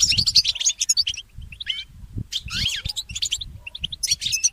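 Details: Goldfinch mule morning song with bright trilled bursts, rising and falling slurred whistles, and quick tweets in phrases separated by short gaps, over faint low rumbling.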